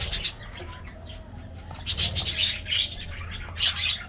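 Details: A group of colorful budgerigars during a morning diet treat, with lively warbled chirps and squeaks in uneven clusters, several birds overlapping.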